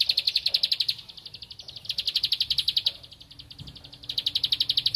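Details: A bar-winged prinia seeking a rival gives rapid, high, ticking notes in fast runs of about a second or two, separated by brief softer gaps, with a faint low rumble underneath.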